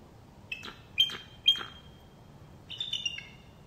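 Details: Bald eagle's laugh-like call: thin, high, squeaky piping notes, three spaced about half a second apart, then a quick chittering burst like a giggle.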